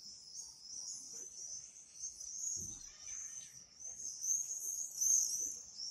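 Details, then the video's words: Loud, piercing common swift screams in a near-continuous buzzy trill that rises in strength toward the end, a short low knock in the middle. "Пение стрижей. Спів стрижів. Singing swifts"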